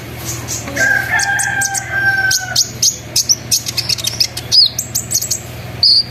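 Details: Lure recording of a sunbird in full ngeriwik, ngerol, nembak style, meant to make other sunbirds join in: a long steady whistled note under a run of quick sharp high chirps, then clipped rapid tweets and a final thin note.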